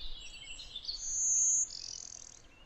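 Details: Blue-winged Warbler song in Connecticut, where the species interbreeds heavily with Golden-winged Warblers: a thin, very high buzzy note followed by a lower, rougher buzz, with faint background noise.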